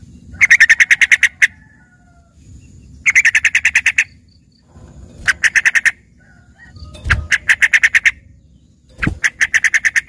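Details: Trucukan, the yellow-vented bulbul, used as filler song for a green leafbird. Rapid buzzy trills of about ten clipped notes come in bursts roughly every two seconds. Low rumbling noise and two brief thumps sit between them.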